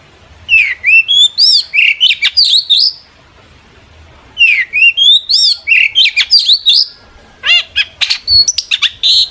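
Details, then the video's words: Long-tailed shrike singing with great energy to lure other shrikes into answering: two long phrases of twisting whistles mixed with harsh notes, separated by a pause of over a second, then scattered sharp calls. "burung cendet gacor FULL EMOSI pancingan CENDET AGAR NYAUT"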